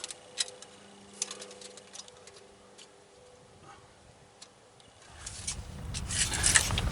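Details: Mechanical ticking and knocking from sawmill work over a low hum, with louder clattering machinery noise building toward the end.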